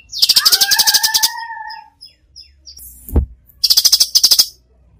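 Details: Lively cucak cungkok in full 'tembakan' song, used as a tutor recording: rapid ticking rattles overlaid by two drawn-out whistles, then a brief knock and another quick burst of harsh ticks.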